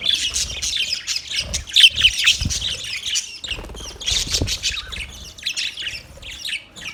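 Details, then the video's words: Budgerigar chatter of quick, uneven chirps and harsh squawks, loud at first then thinning into scattered warbled notes. "Budgies chirping sound"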